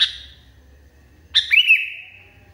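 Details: Sooty-headed bulbul in a very agitated state. A short bright high chirp opens, followed after a pause by a sharp burst that slides into a thin, sustained buzzy note fading out.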